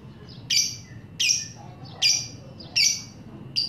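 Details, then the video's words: Lovebird calling to provoke other lovebirds into song: loud, harsh, high squawks repeated about every three quarters of a second, each with a quick falling tail, over quiet low background hum. "mancing lovebird ngekek"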